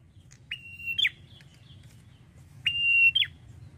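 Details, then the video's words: Singing male prinia, known in Indonesia as red-headed prenjak, drawing out two level whistles that each end in a rising flick, with a pause of over a second between them and a soft low hum. "PRENJAK KEPALA MERAH JANTAN GACORNYA NGALUN"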